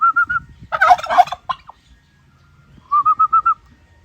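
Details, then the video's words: Turkey call in three parts: a few quick whistled piping notes, a loud rattling gobble, then a brisk series of five clear whistled notes after a pause. "รวมเสียงไก่งวงร้อง หาฟังยากมาก"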